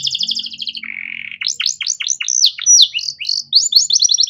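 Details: Singing canary used as a master song for training young songbirds, a lively varied song: fast trilled chirps high up, a lower buzzy rattle, then rapid downward-sweeping whistled notes and quick trills.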